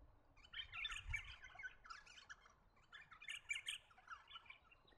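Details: Eastern rosella, found in woodlands, parks and gardens of the New England region, NSW, Australia, gives two bursts of bright chattering calls mixed with sharp piping notes, about a second apart.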